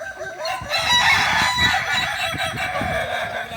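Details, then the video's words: Kukuak Balenggek roosters at a joint training session in Ampang Kualo, Kota Solok, filling the air with loud, continuous overlapping crows from several birds, harsh and layered with no clear pauses. "latihan bersama ayam kukuak balenggek (akb)"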